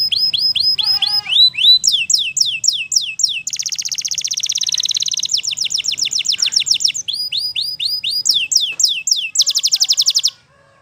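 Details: Wild canary pouring out varied high song: chirped rising phrases, a dense rolling rattle, fast rhythmic trills and sweeping whistles, repeated several times a second, stopping suddenly.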